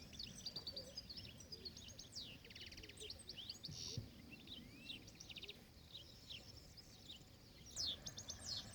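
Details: Wild European goldfinch in nature giving a rapid, jangling twitter of high chirps mixed with short buzzy rattles, delivered in quick bursts over constant low-pitched environmental noise.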